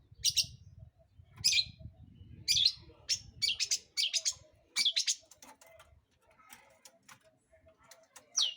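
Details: Long-tailed shrike song played to provoke other birds: loud harsh, grating notes delivered in bursts, then softer scattered ticks and a final high slurred whistle, over faint low hum early on.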